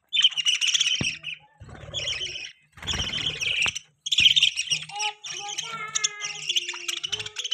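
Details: Budgerigar chirping in long bouts of high, buzzy chatter, ending in clearer whistled tones that glide downward, with a few sharp clicks between bouts.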